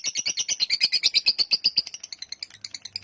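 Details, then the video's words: Lovebird 'ngekek' long chatter: quick, piercing, evenly spaced high notes that soften and thin out toward the end, with a faint low hum underneath. "Love bird ngekek panjang"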